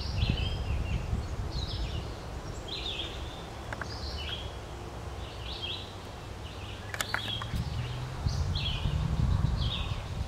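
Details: Green-winged teal, with mainly this species of duck present, at Spooner Island, Hampton, New Brunswick: several birds give short, high whistled peeps about four times a second, over a steady low wind rumble and a few sharp clicks.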